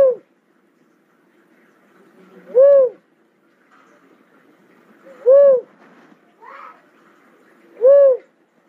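A cuckoo-dove gives three hollow, low coos that swell up and fall away, spaced about two and a half seconds apart, with a faint softer note between.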